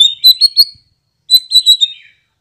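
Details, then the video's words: White-rumped shama lure song meant to draw a response: two short bursts of high, thin, warbled whistles, separated by a brief silence. "RESPON CEPAT, 100% AMPUH memikat MURAI BATU agar NYAUT dan NGEPLONG"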